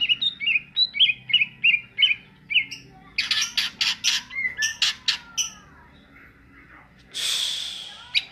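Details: A caged greater green leafbird in full "ngentrok" song: a quick run of high chirps, about three a second, then bursts of harsh, buzzy phrases, ending on a rasping note.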